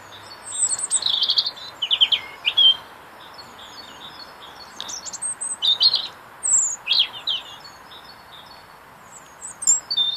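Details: A robin singing in a tree outside an office on a cold winter's day, as it does daily, gives high, thin, warbling phrases of quick trills and slurred notes, with pauses of a second or two, over faint hiss.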